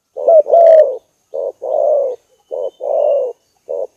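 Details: Spotted dove lure recording with softer, rougher coos: short notes alternating with longer, slightly falling hums, evenly spaced over four seconds.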